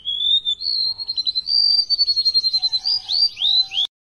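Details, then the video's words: A tame golden-bellied gerygone sings a high, thin whistled phrase, then a rapid run of sweet trilled notes ending in falling slurred whistles. "Burung remetuk laut paling gacor"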